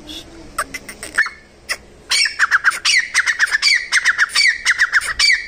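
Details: Wild grey francolin: a few sharp clicks and single notes, then a loud, rhythmic run of shrill, rising-falling syllables repeated roughly three or four times a second until the end.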